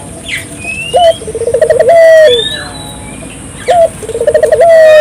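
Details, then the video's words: Vigorous Barbary dove calling used to rouse local doves: two phrases about three seconds apart, each a sharp rising note followed by a fast rolling coo trill and a long level hoot, with scattered thin bird whistles. "suara burung puter gacor,merangsang burung puter lokal ikut gacor"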